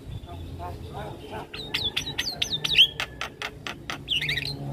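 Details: Javan myna in gacor singing with fills, aimed at prompting decoy mynas to respond: a row of up-slurred whistles, a train of crisp clicks, then a tangled warbled flourish, with faint low hum behind.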